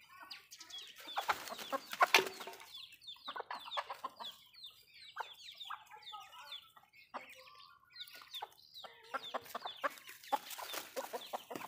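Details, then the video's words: Backyard Malay chickens eating food: a busy flock gives many short, downward-sliding chirps and clucks, overlapping constantly, with sharp pecking clicks and louder bursts around two seconds and again near the end. "Chicken malayo asmr nice but nonuse sound eating food"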